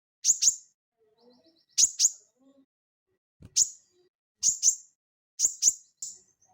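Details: Sogon, or crested jay, singing energetically in ngeleper style, meant as training audio for cage birds: crisp, high double notes at roughly one-second intervals, separated by quiet soft twitters.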